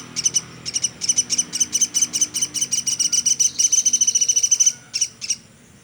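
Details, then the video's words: Woodpecker known as platuk sampit, recorded as a tutor for songbirds: uneven high chirps building into a faster, denser string, ending with two isolated notes and fading. "Burung Platuk sampit dasyat bunyi nonstop"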